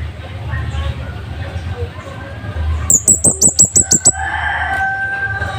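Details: Scarlet-headed flowerpecker singing loud and sharp, recorded as a master for training caged birds: a fast run of about eight piercing high ticks, preceded by low background rumble and followed by a humming tone.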